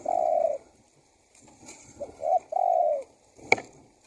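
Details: Lure call of a spotted dove for attracting wild birds: the end of one long coo, then a soft pause and a full phrase of quick short notes into a sustained, slightly falling coo, with a faint click.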